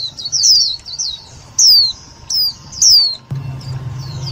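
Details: Trapping lure of an Indian white-eye, also used to excite other white-eyes: loud, high, drawn-out falling notes about every second amid soft twitters, followed by a quieter stretch with low hum.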